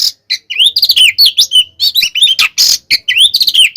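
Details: Brief burst of Oriental magpie-robin fighting song for provoking other birds: quick slurred whistles, looping notes and a harsh rasping buzz, packed closely together.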